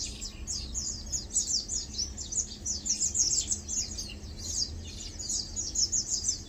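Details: Lowland white-eyes feeding and preening chatter with a near-continuous stream of high thin slurred chirps rising and falling in loudness, over a quiet low hum.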